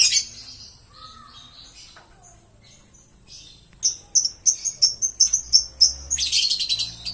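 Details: Green lovebird opening with a squeaky call, pausing, then launching into a rapid run of sharp, high chirps repeated several times a second, ending in a dense buzzy burst.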